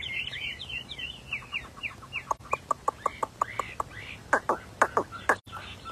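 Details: Rare albino Chinese hwamei, a prized bird said to sing superbly, opens with quick descending whistles, then delivers a loud run of sharp, evenly spaced ringing notes, ending in denser bursts, with faint murmuring in the background.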